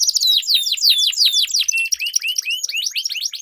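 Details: Dueling canaries with long rolls, used to train competition birds: rapid downward-sweeping whistled notes in quick series, followed by several rising slurred whistles.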